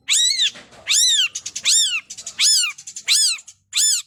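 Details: Long-tailed shrike singing 'gacor full isian', a style packed with mimicked phrases: loud arched notes rich in harmonics, first rising then falling, repeated roughly every 0.7 seconds with short gaps between them.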